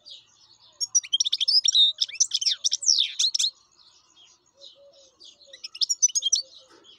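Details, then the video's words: Wild European goldfinch in full song: fast, liquid twittering of high, varied chirps and trills in a dense burst lasting about two and a half seconds, a short pause with faint notes, then a second shorter twittering phrase. "حسون بري شغال"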